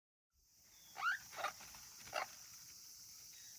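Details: African grey parrot chick, hatched August 2020 at a breeding facility, kept alone and calling as if lonely: three short squeaky calls, the first a rising whistle with harmonics, the others brief raspy notes, over steady high hiss.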